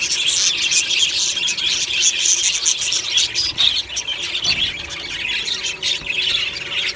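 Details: Aviary colony of budgerigars chirping and singing cheerfully at morning time: rapid, busy squeaky chatter and short sharp notes tumbling over one another, about four bursts a second.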